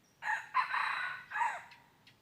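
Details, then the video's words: A red junglefowl crows while wild birds are lured with a decoy, recorded 23 January 2022. Three strong, harsh segments run together, with the last fading downward. A faint click follows in an otherwise quiet setting. "ต่อไก่ป่า Dib qaib qus tuaj zoo heev"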